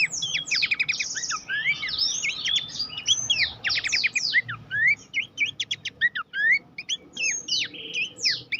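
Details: Horsfield's babbler training song for contest birds, a busy stream of sharp rising whistles, slurred notes and fast clicking bursts, pausing briefly near the end before more short chirps.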